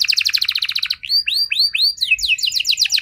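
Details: Canary song used to prompt other canaries to answer: a fast pulsing trill, three slow drawn-out falling whistles, then quick chopped high notes.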